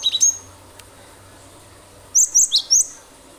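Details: Cinereous tit in strong 'nembak' song, used to prompt other birds to sing; a brief cluster of chirps at the start, a pause, then a crisp phrase of four high, sharp notes.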